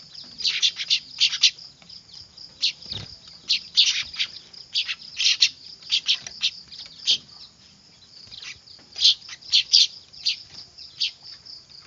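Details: Noisy weaver (manyar) chicks, a lure sound for bird trapping: bursts of shrill, rapid chirping alternate with brief lulls, layered over a constant high ringing drone and a single dull knock.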